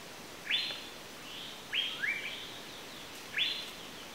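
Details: Asian paradise flycatcher giving harsh, grating calls, some doubled into a high rasp followed by a lower one, three bursts spaced over about four seconds against steady background hiss.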